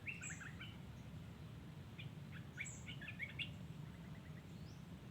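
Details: Wild yellow-vented bulbul singing: short bubbly, chirping phrases in the middle register, a burst near the start and another cluster around three seconds, with a few thin high notes above; constant low rumbling background noise throughout.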